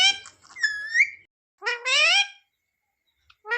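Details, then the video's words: A pet talking parrot imitating speech: loud, clear harmonic phrases, one falling then rising, followed by a smoothly rising drawn-out utterance and a short final syllable, with silent gaps between. "talking parrot"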